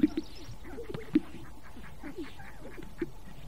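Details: Strutting display of greater sage-grouse at a lek, part of courtship. A few louder low popping notes stand out, two at the start and one near the end, among softer scattered gulping sounds and faint background noise.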